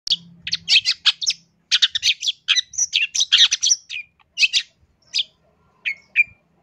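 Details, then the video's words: Long-tailed shrike master song used as a lure, a fast, varied song of high scratchy chirps and twitters in dense bursts, then clearer whistled notes with brief pauses; a faint low hum opens. "MASTERAN CENDET GACOR FULL ISIAN"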